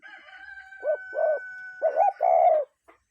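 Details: Cuckoo calling in nature, a real bird: a pair of low two-part notes, a short arched note then a longer falling one, after a faint start, with a steady thin tone humming underneath.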